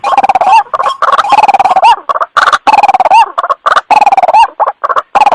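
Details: Loud trapping lure of the white-breasted waterhen: mellow, hoarse notes rise into a short upturned flick, interspersed with rapid clipped pulses, the phrase recurring every second or so.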